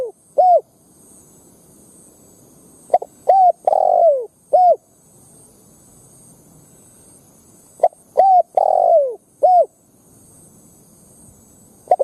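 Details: Spotted dove lure for provoking wild doves to fight, giving sparse groups of short rising coos and a longer falling coo, separated by long pauses, with a faint steady high hiss throughout.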